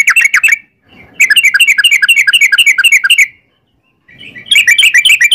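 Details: Long rapid 'ropel panjang' song of a vigorously singing sooty-headed bulbul, meant as a lure: bursts of fast, chattering, buzzy repeated notes separated by short silences.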